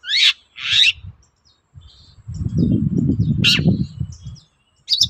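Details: Long-tailed shrike song used as a lure to provoke other shrikes into answering: two harsh, rasping bursts in the first second, fainter scratchy notes, a sharp note mid-clip and another at the end, over a loud low rumble.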